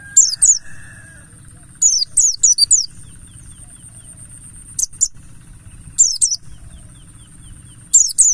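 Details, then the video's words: Mountain white-eye of the Buxtoni kind, wild 'ngalas' lure song to prompt other birds to sing: bursts of high, downslurred twittering notes in groups of two to four, returning every second or two, over a faint low hum. "Semua Pleci Pasti Langsung Gacor || Pancingan burung Pleci Buxtoni Ngalas"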